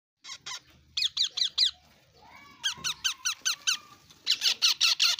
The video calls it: Yellow ringneck parrot chick